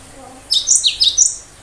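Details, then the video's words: Sharp high 'tembakan' song from a cinereous tit, said to make other birds respond: five quick, piercing, downward-sweeping notes in a tight burst. "Tembakan tajam burung lain yang mendengar pasti langsung respon"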